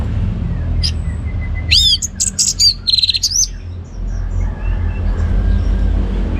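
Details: Orange-headed thrush kept as a cage bird in Singaraja, Bali, sings a brief loud ngeplong burst: high falling whistles, rapid buzzy notes and a rising slur packed into two seconds, with faint chirps and low hum around it.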